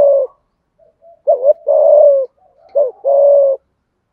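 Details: Decoy spotted dove in a local-style voice giving an urging coo to draw a wild bird to the lure: low, hollow coos, each a quick doubled note followed by a longer falling coo, repeated three times in a quiet setting.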